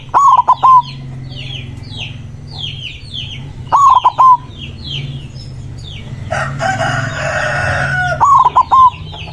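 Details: A loud white zebra dove sings a rival-calling song of three rolling coo phrases about four seconds apart. Chirping birds are heard throughout, and a burst of rustling noise comes before the last phrase.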